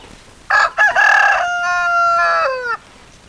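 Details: Rooster crowing at close range, a loud harmonic cock-a-doodle-doo: two short choppy opening notes, then a long sustained tone that falls slightly at the end, lasting about two seconds over quiet background.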